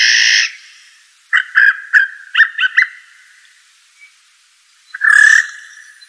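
A blue jay gives a harsh, nasal jeer, then a quick run of five clipped, rattling notes, and ends with a second loud, raspy scream.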